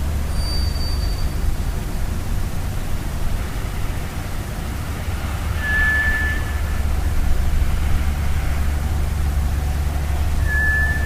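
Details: Scaly (White's) thrush singing in a forest in the middle of the night near Mt Moiwa, Sapporo, around July 2009, where it is a summer visitor: thin, eerie, clear drawn-out whistles, rhythmically mixing low and high notes, over a constant low rumble.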